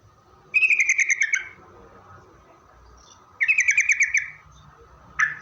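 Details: Lively yellow-vented bulbul song used as a lure to make other bulbuls reply: two bright, rapidly pulsed buzzy phrases about three seconds apart, plus a short final note, over a low steady hum.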